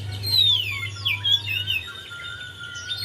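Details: Javan white-eye song meant to coax a silent bird into singing: a clear whistle sliding downward, then short twisting notes, over a low hum and a thin steady tone.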